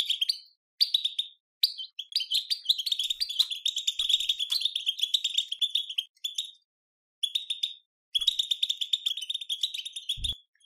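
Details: European goldfinch singing in the betbeta song style, played to stimulate other goldfinches to sing; rapid bright twittering with buzzy trills and tinkling notes in long bursts broken by short pauses, clean with no other sounds.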